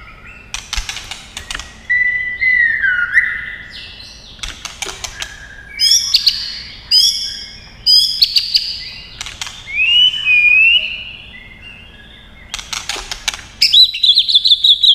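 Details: Agitated white-rumped shama giving its fighting song with tail-flicking and sharp clicks: varied whistled phrases, some sliding and warbled, alternating with bursts of hard dry ticking, repeated over fifteen seconds.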